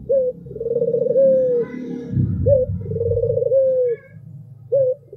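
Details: Cooing of an albino spotted dove, with brief upturned notes followed by drawn-out throbbing coos that fall away at the end, over a low murmur of background noise.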